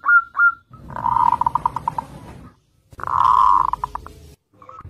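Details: Zebra dove singing actively, used as a lure to draw other zebra doves into song: two brief whistled notes, then two buzzy, rolling purr-like phrases, each breaking into quick stuttering pulses before fading.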